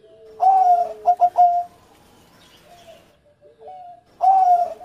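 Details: Former competition champion zebra dove singing in engkel (single-voice) style with a melodious cengkok rhythm. Its low, mellow coos come in a loud opening phrase, then three quick notes, a longer note, softer notes and another loud coo.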